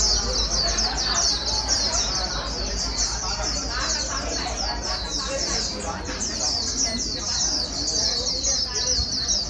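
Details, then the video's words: Fast, continuous high-pitched twittering from a wild-caught 'bổi' white-eye, used to train birds to sing quickly. Rapid chirped notes are packed closely together, with faint mid-range chatter and a low background hum. "Kích chim vành khuyên bổi mau líu"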